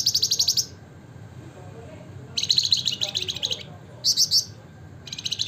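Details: Flamboyan (wergan jawa), the Javan fulvetta, delivering gacor ngebren song: fast high chattering trills, a long rattling burst in the middle, then a short doubled phrase and another trill starting at the end, with low background hum.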